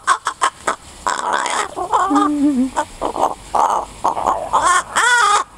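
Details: Tame pied crow that its owner releases to fly around a neighbourhood, coming closer to investigate while someone imitates its weird noises, fed a peach and more keen to chat. It gives varied gurgling, nasal and harsh notes, some sliding pitch, amid nearby voices.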